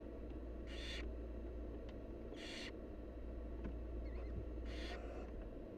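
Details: Wild barn owl nestlings begging as their mother feeds them: three harsh, breathy hissing bursts, each about a third of a second, spaced roughly two seconds apart over a constant low rumbling background.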